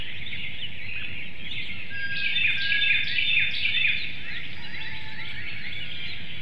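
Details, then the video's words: Female bald eagle brooding a hatchling and an egg on a nest in Hanover, Pennsylvania, at 6:28 a.m. on 6 April 2019, calling out to her mate. A short series of squeaky, piping chirps rises midway, set against constant broadband hiss. "Liberty calls"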